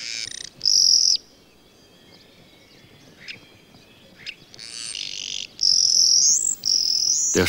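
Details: A common starling, a migrant that has settled in and completed its nest, displays and sings on a sunny spring day: rapid mix of high wheezy hissing bursts, brief clicks and a rising whistle, with short pauses between phrases.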